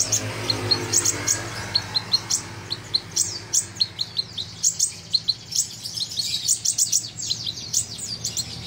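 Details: Sunbird, the local kolibri ninja, delivering a long energetic tutor song: a dense stream of high, thin chips and downward flicks that speeds into rapid runs toward the end, with a faint background hum.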